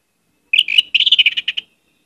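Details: Orange-headed thrush delivering a brisk phrase of rapid, warbled whistles, about a second long, dense and slightly buzzy, with a varied, imitation-filled song.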